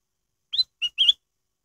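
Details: Lure song of a black-headed bulbul, meant to prompt caged bulbuls to sing: a brief, bright phrase of three whistled notes, the last one longest and wavering, in clean silence.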